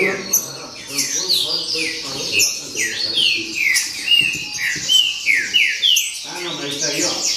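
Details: A green-winged saltator sings baderna, pouring out rapid descending whistles one after another in a lively, continuous stream, the rhythm briefly breaking near the end, with soft low noise behind.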